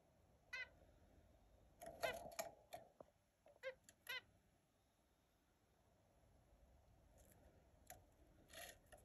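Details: Australian zebra finch calls: a busy burst of nasal, buzzy notes in the first four seconds, then a lull, followed by softer, fainter calls near the end over a low hum.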